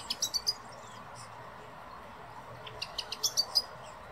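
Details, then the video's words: Common blackbird pair, female and male, in the Real Jardín Botánico de Madrid, Spain; two quick series of sharp high clicking chinks, three to six notes each, over quiet background hum. "Merla e merlo"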